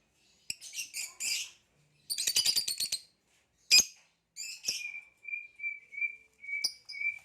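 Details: Captive green hybrid male Nyasa lovebird with a purple rump, kept with a Lilianae Nyasa lovebird, singing: bursts of harsh high chirps and rapid ticking notes, then a thin sustained whistle repeated in short pulses.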